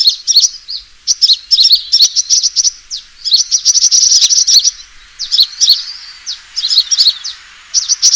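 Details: High-pitched sunbird fighting call meant as a lure, delivered in excited bursts of rapid chittering and squeaky slurred notes separated by short pauses.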